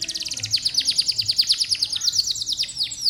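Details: Canary song used to prompt young, rarely singing canaries to sing: a fast run of bright descending whistled notes, about three per second, then rolling high trills, steady and loud throughout.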